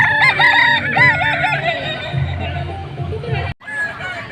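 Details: Kukuak Balenggek rooster at the 2024 Walikota Cup crowing contest held at the Padang mayor's office, with long crows broken into rhythmic stepped notes amid a noisy crowd hum. A sudden cut is followed by voices.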